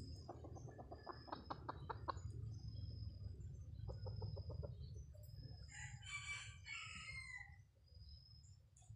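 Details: Junglefowl lure call: rapid runs of clucks, about two per second, then a brief higher squawking burst, over a constant low rumble.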